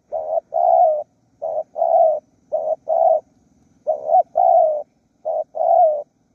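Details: Spotted dove used to call wild doves in Surat Thani, Thailand, cooing in paired short-then-long low notes, four pairs spaced about a second and a half apart, with a faint steady hum beneath.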